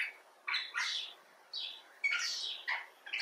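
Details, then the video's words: Common bulbul (Pycnonotus barbatus) calling in a few drawn-out rasping, nasal phrases, each about half a second long, separated by brief pauses. "Bulbul Talk: The Common Bulbul (Pycnonotus barbatus)"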